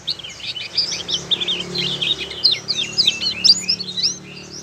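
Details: Oriental white-eye, a young Malang bird learning to sing, gives a quick run of high twittering notes, upslurred whistles and chatter lasting several seconds over a low background hum.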